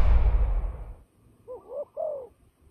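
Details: Fighting turtle dove used for trapping gives one pair of low coos, a wavering note then a falling one, after a loud thump and rumble that fades over the first second.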